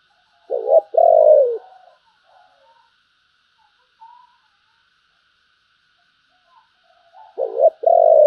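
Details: Spotted dove giving giọng thổ bầu style cooing: a deep two-part coo phrase, a brief note then a drawn-out falling coo, then near silence with faint soft sounds before the phrase starts again seven seconds later.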